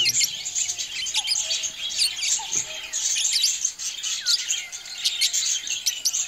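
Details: Several budgerigars playing next to their nests make a busy, continuous chatter of high chirps and short tweets that overlap without pause.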